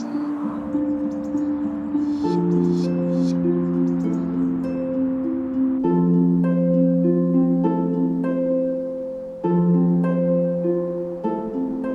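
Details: Gentle plucked harp-like music with sustained tonal notes fills the passage, and no animal calls are heard.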